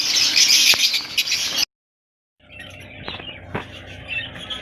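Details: A lovebird colony gives a loud burst of shrill, overlapping chirping, breaks off into a brief silence, then resumes more softly with scattered high squeaks and a couple of sharp clicks.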